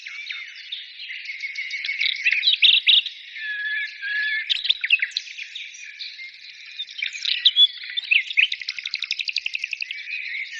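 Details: A dense chorus of singing birds: tumbling warbles and chirps, then a long fast trill of repeated ticking notes near the end, all high and unbroken.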